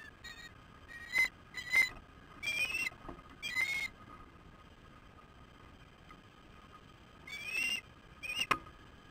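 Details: Osprey at a nest during a fish delivery on an August 2015 evening, recorded by nest camera: scattered loud, piercing whistled chirps, some rising and wavering, in irregular clusters separated by quiet stretches of low hiss.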